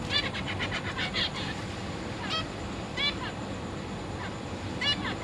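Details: Zebra finches in a cage on 22 August 2023, parents feeding three juveniles and three newly fledged young. Rapid nasal calls cluster at the start, then single harmonic calls follow every half second to second over a constant low hum.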